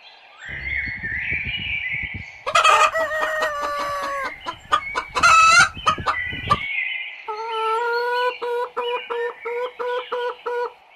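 A chicken gives a loud, hoarse, drawn-out crow lasting several seconds, followed by a quick series of short, even clucks about twice a second.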